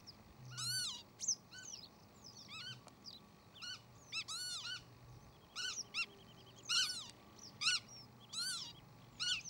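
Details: A northern lapwing, apparently in flight, gives wheezy, nasal, mewing calls that rise then fall, about one a second, over a faint low hum.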